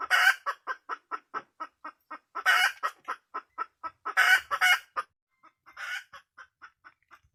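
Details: Red junglefowl hen, wild, giving loud repeated clucks in quick succession, with three bursts of harsher, stronger cackling notes before the clucks fade and slow toward the end.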